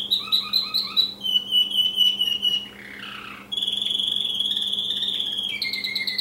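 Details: Caged American Singer canary, a male, singing indoors: bright whistled trills and rolling notes, a sustained buzzy tone, then a steady ringing trill and a lower two-part phrase at the end, with a faint steady hum behind.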